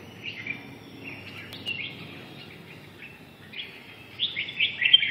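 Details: Red-whiskered bulbul singing: short bright warbled phrases around the upper-middle register, a few quieter notes early then a louder burst of rapid chirpy notes near the end, over faint low background hum.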